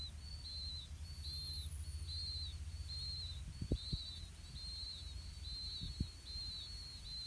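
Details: Five 4-day-old Blue-winged Pitta chicks in the nest give thin, high, slurred begging calls about every three-quarters of a second while the parents feed them earthworms, over a low rumble with a few soft thumps.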